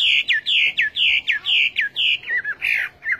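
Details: Chinese hwamei song: a loud whistled phrase with a falling slur, repeated rapidly about every half second, then shifting to wavering, warbled notes near the end.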